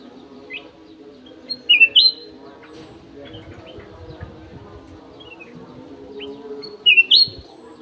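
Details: Golden-fronted leafbird kept in an aviary: two bright, clear whistled phrases, each a quick slurred rising-and-falling flourish, several seconds apart, over a steady low hum.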